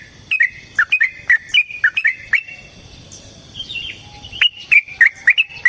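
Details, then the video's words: Lure recording of a yellow-vented bulbul's fighting song: separate bright chirps, each slurring up or down, spaced about a third of a second apart, a short gap, then more chirps. "Suara Burung TRUCUKAN gacor TARUNG ROPEL PANJANG pancingan trucukan agar JADI trucuk gacor EMOSI"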